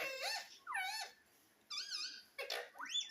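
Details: Pet green parrot making a few drawn-out, wavering nasal calls, each sliding up or down, separated by short pauses.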